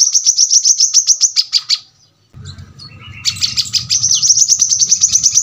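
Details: Brown-throated sunbird giving a dense, sharp rapid-fire song, 'tembakan rapat', used as a tutor recording for birds at home: fast runs of high, piercing chips, broken by a short silence with a low hum, then resuming as a tight trill.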